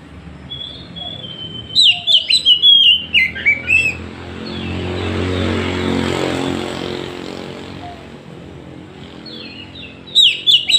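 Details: Oriental magpie-robin in Woncoyo village, Trenggalek, recorded on an Android phone: a fast burst of chattering, whistled notes for about two seconds, a long gap with a passing engine or aircraft drone, then another brief burst of sharp whistles.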